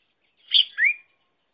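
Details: Red-whiskered bulbul decoy bird used to lure wild birds into traps: one slurred two-note phrase, a high bright note dropping into a lower rising whistle, in silence.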